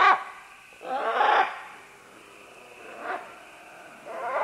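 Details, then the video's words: Green-winged macaws, several birds descending along vines, medium-close: loud grating screeches, one at the start and another about a second in, followed by softer hoarse calls near three and four seconds. "Green-Winged Macaw. MCU - MD Calls From Several As They Descend Along Vines"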